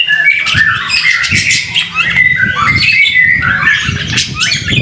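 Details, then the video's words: White-rumped shama singing vigorously in the rain, recorded as a masteran training song: dense, rich run of bright whistles, trills and sharp chirps overlapping without pause, over a steady low rumbling patter. "BIRD SOUND IN THE RAIN SUPER SPECTACULER / MASTERAN MURAI BATU GACOR"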